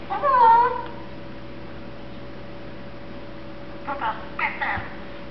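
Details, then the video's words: A one-year-old male pet Eclectus parrot, happy and contented as he gets sleepy, gives a wavering whistled note at the start. After a quiet stretch, a few brief muttered syllables follow near the end. "the Mumbling Eclectus Parrot"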